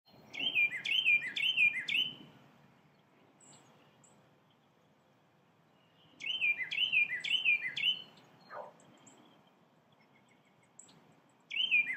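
A Carolina wren gives loud, ringing bursts of four or five quick rolling notes, a two-second phrase repeated about every five seconds against quiet background.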